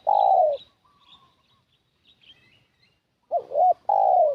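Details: Spotted dove used as a decoy to lure wild doves. A low hoarse coo fades at the start. After a pause, a quick double-noted phrase runs into a long drawn coo. Faint higher chirps from other birds sound in between.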